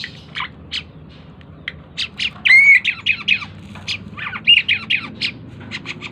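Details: Tame Asian pied starling in lively song: scattered sharp chips build into loud, slurred, squealing whistles and harsh chattering phrases.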